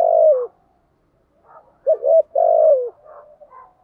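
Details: Spotted dove lure call made to draw in wild doves: a long falling coo, a pause, then a quick double note and another long rolling coo, with soft murmurs between phrases.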